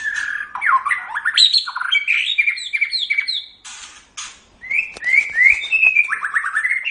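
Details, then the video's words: White-rumped shama in loud, rich song meant as training audio for caged songbirds: fast swooping whistles, grating bursts, a brief pause, then a run of repeated rising whistled notes. "Suara Burung Murai Batu"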